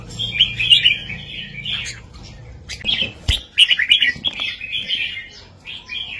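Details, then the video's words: Red-whiskered bulbul singing a southern-style master song with heavy, clear phrases, used to excite birds and teach young birds: bright warbled bursts in quick, uneven succession, with a sharp click near the middle and a low hum beneath. "นกกรงหัวจุกเพลงแม่บทใต้ ลำหนักๆ ชัดๆ ยั้วนกฟังนกคึก เปิดสอนลูกนก"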